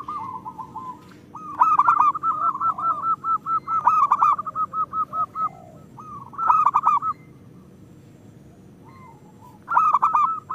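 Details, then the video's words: Local zebra doves singing as a lure to coax lazy birds: a long, evenly pulsed run of coos, then a pause and two later bursts of rapid rolling trills, several birds overlapping. "Perkutut lokal gacor"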